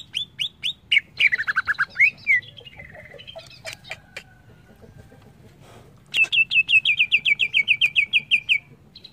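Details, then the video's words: Greater green leafbird singing as training audio: quick upslurred whistles, a burst of descending slurred notes, a quiet gap, then a long, rapid series of about fifteen bright repeated notes. "Suara burung CUCAK IJO"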